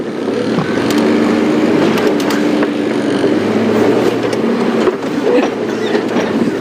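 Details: Loud vehicle engine noise with a steady mid-range drone runs throughout, with no animal voices.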